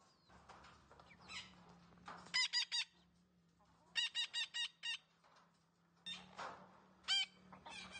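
A green parrot gives three quick bursts of harsh, nasal, rhythmic syllables, four or five at a time, over a faint steady low hum.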